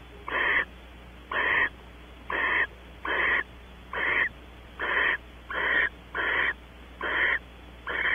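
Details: Rasping, breathy hisses from Barn owls in a nest box at Audubon Starr Ranch, California, during a female's arrival and mating; nine even bursts, each about a third of a second, roughly one per second.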